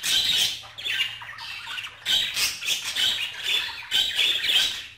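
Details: Strong budgerigar chatter, harsh squawks and grating warbles packed closely together, pausing only briefly near 0.8 and 2 seconds, with a faint low hum beneath.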